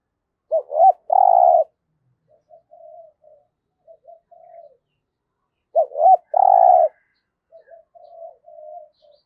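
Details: Decoy spotted dove used for luring wild doves in trapping, cooing in the 'giọng thổ' voice style: two short clipped notes then a long loud coo, trailed by soft murmuring coos, the phrase given twice; quiet surroundings.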